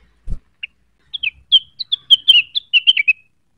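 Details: Cucak wilis singing, used as a lure to provoke rival birds: a rapid string of bright whistled notes, mostly steady with slight dips, after a single thump at the start.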